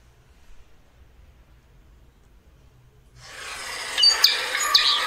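A Peregrine Falcon gives harsh, rasping calls after three seconds of near silence, rough and broadband with a few sharper grating notes near the end.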